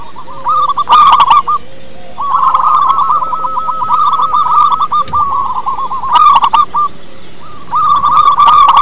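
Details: A local zebra dove with a big voice, used to lure other doves, pours out fast bubbling coo trills in three long phrases with brief gaps, punctuated by harsh clicking noises.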